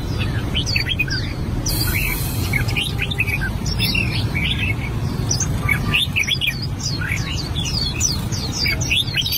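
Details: Albino red-whiskered bulbul practising its song: quick series of high, sharply rising and falling whistled notes and chirps, overlapping in lively bursts over a steady low background hum.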